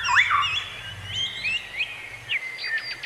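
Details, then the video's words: Bird song outdoors, a looping whistled phrase at the start followed by quick high chirps and rising notes, soft rural background noise throughout. "bird sound effect"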